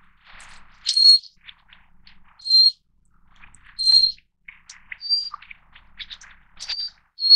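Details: Taiwan's endemic Little Forktail subspecies, a stream-dwelling mountain bird, giving loud high thin whistles every second or so, some slightly falling, with softer chirps and a faint background hiss.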